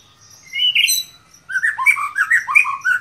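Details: White-rumped shama in excited song meant to provoke other shamas: a bright rising whistle, a brief pause, then a rapid run of rich, varied fluting and warbled notes.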